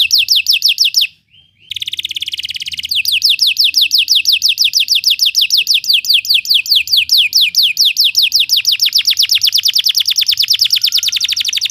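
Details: Belgian canary singing to teach other canaries: quick descending whistled notes, a brief pause and short buzzy phrase, then a long, even run of rapid downward sweeps lasting most of the recording.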